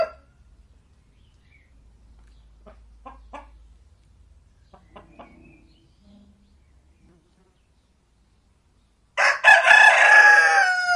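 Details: Near silence with a few faint soft clicks and taps, then a loud rooster crow bursts in during the final two seconds.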